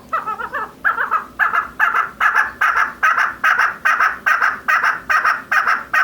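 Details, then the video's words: Female chukar partridge calling in a steady series of harsh, clucking bursts, about two to three per second. Each burst is a short chattering phrase that stays strong and regular throughout. "Chakor Mada Voice | The Best Voice of Female Chakor | Mada Chakor ki Awaz"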